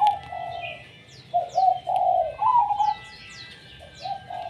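A zebra dove gives soft, rolling cooing phrases in quick bursts, with thin, high down-slurred chirps from small birds above it.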